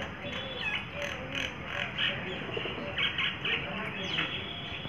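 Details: Myna in Rajasthan, India, chattering to herself alone; bursts of harsh, buzzy notes mixed with squeaky chirps and short whistles, delivered in uneven runs over a steady background hiss.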